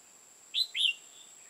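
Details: Red-whiskered bulbul, decoy bird for trapping in Hòa Bình, Vietnam: two quick rich whistled notes, the second slurred and louder, against a constant high-pitched hum.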